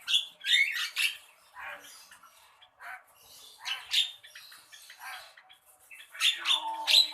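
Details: Javan myna uttering irregular raspy squawks and chattering notes, some loud and close, separated by quieter scratchy phrases, ending in a dense burst of grating calls.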